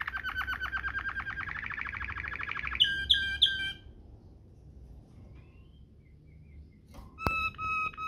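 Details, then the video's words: A Waterslager-style canary song for tutoring canaries: a fast, even roll of rapid bubbling notes, then a few louder sharp notes, a pause, and a final ringing burst. "NGEROL MEWAH ala WATERSLAGER"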